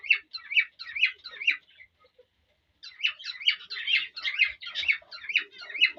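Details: A male cockatiel courts a female, urging her to mate, with bouncy repeated whistled phrases about two per second, a short pause midway, then the same rhythmic warbling series resuming.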